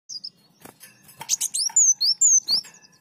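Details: Sunbird song used as a training recording for songbirds: thin high whistled notes sliding downward, mixed with sharp chirps and clicks, delivered in a rapid irregular burst.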